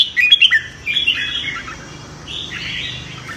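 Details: Red-whiskered bulbul in morning competitive singing for voice training. A brief burst of quick chirped whistles, then softer trailing warbled notes fading out.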